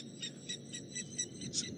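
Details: Blacksmith lapwings call in the evening at a dam, with water thick-knees also calling, giving sharp, metallic clinks, about four a second, like a hammer tapping an anvil, over a low rumble of engine and a cool southerly wind.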